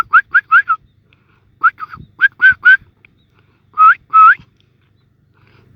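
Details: Begging from wild sparrow nestlings awaiting food: short clusters of two to four sharp rising chirps separated by brief silences, with a couple of longer, louder notes near the end and faint nest rustling.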